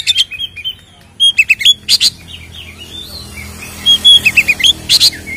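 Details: White-rumped shama song used as a lure to agitate caged birds: clipped whistled phrases, sharp chattering bursts and swooping slurred notes, with fast repeated notes in short groups.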